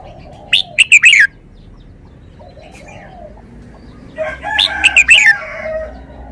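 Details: Red-whiskered bulbul song: a crisp phrase of rapid whistled notes falling at the end, then a second phrase half-masked by a rough, noisy sound, over constant low background noise.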